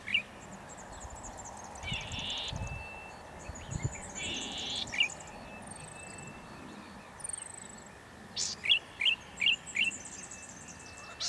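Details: Male Golden-headed Cisticola singing from an exposed perch near dusk, October 2017 breeding season, Pitt Town Lagoon, NSW: two drawn-out buzzes, then a quick run of four or five sharp, liquid clicking notes; thin high whistles from other birds faintly behind.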